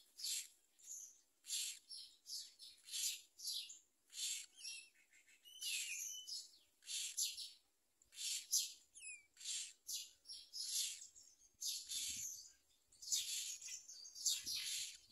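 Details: Myna nestling calling while its parent delivers a large blue caterpillar: many short, scratchy, buzzy chirps in quick irregular bursts, with some brief twisting whistled notes mixed in.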